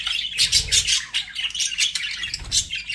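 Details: Budgies chatter in quick, scratchy bursts of high chirps, notes tightly packed and pulsing several times a second.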